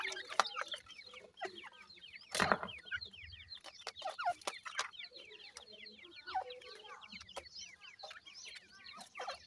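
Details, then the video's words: A busy chorus of grey francolin chicks: high, thin, downward-sliding cheeps repeated rapidly by many birds, with a loud scuffing burst early on and scattered clicks. "teetar kay bachy ki awaz,Irani Teetar ka bachay"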